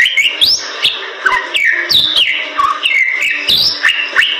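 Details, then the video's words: Energetic Bali myna song used as training material for songbirds. Rising whistled swoops alternate with falling slurs and a few lower notes, punctuated by loud clicks. "Jalak Bali Gacor Super Sangat Cocok Untuk Isian"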